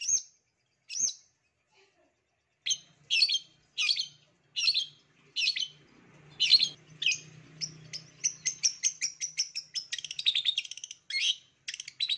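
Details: Long-tailed shrike lure recording meant to make idle shrikes sing: harsh, scratchy chattering notes in short bursts, speeding into a rapid, varied run of squeaky phrases, with a faint low hum underneath.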